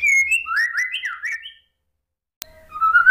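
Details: White-rumped shama song played to provoke a silent bird into answering: a short run of fluty rising and falling whistled phrases, a pause, a click, then a softer rising whistle.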